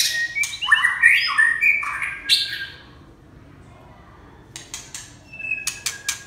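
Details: Red-whiskered bulbul singing a run of rich warbled whistles with rising and falling notes in the first two and a half seconds, then near silence, then sharp high clicks and a short whistle near the end.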